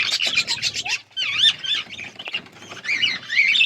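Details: Budgerigars in an outdoor aviary set in a forest environment, eating seeds; a rapid series of buzzy, warbling chirps gives way to sweeping, wavering whistled notes and chattering from several birds.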